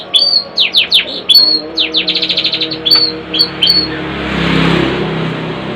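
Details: Caged long-tailed shrike singing loud downslurred whistles followed by a fast rattle of repeated notes and more slurred calls, then a burst of rushing noise.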